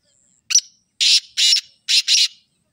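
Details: Black francolin calling: a series of harsh, buzzy, broadband notes, one short note then four longer grating bursts in two pairs, all within under two seconds, on a silent background.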